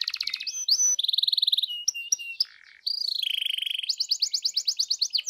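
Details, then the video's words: Singing canary used to make a canary respond: varied song of fast steady trills at different pitches, short sharp notes, a brief pause, then a rolling series of rapid high notes. "GAK PAKEK LAMA PANCING DENGAN INI KENARIMU LANGSUNG NYAUT GACOR"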